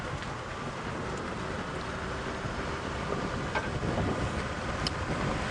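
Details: Engine drone and wind buffeting from a moving safari vehicle, with a few faint clicks and no animal voice.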